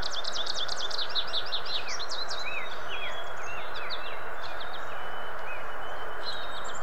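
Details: Southern Ontario American goldfinch opening with a fast burst of high, sharp chirps, then slower scattered slurred whistles that fade, all over a continuous hiss.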